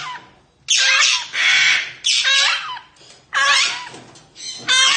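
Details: A large African grey parrot gives four loud, harsh, rasping squawks about a second apart, each with a slurred downward edge, in a small indoor room.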